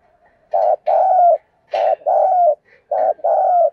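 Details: Spotted dove cooing to provoke a fight: low, hoarse coo phrases in pairs, a short note then a longer drawn-out one, repeated three times in under four seconds, with faint rustling between phrases.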